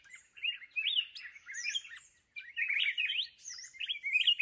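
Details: Red-whiskered bulbul from the mountains, caught with a decoy bird, gives a rich, chattering warble of quick whistled slurs and chirps in two long bursts separated by a brief pause.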